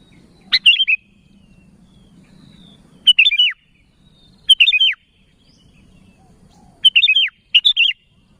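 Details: Sooty-headed bulbul calling its companions with short bubbly phrases of three or four quick notes, spaced irregularly every one to three seconds, soft low rumble between them.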